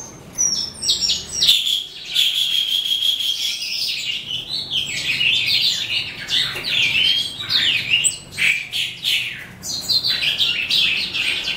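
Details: Calandra lark of the eastern subspecies psammochroa singing at day's end, an unbroken jumble of high warbled phrases, with a sustained whistled stretch near the start and rapid scratchy chatter throughout.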